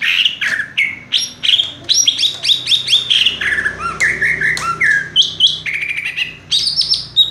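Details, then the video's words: Cucak ijo, the greater green leafbird, singing nonstop in rapid 'raja tembak' style from a single perch: dense, varied whistles, squeaks and chattering runs with abrupt pitch jumps and a trilled buzzy passage. "cucak ijo " raja tembak ""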